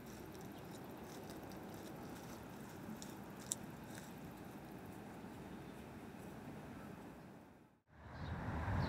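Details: Low, steady indoor rumble with soft squishing and chewing-like noises and a faint tick, broken by a brief dropout near the end; no animal voice.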